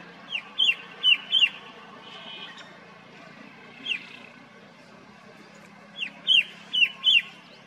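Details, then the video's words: Red-winged shrike-babbler calling loud and clear in mountain forest at a botanical garden in Motidhar, Mussoorie: a quick burst of four sharp, high, downslurred notes, a lone note, then another four-note burst, over a soft background hum. "Red-winged Shrike Babbler calls loud and clear - recognize this hill call and search for this bird"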